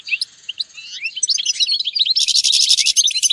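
A European goldfinch sings a quick, tinkling twitter of high, varied notes that runs into a dense, buzzy trill for the last second.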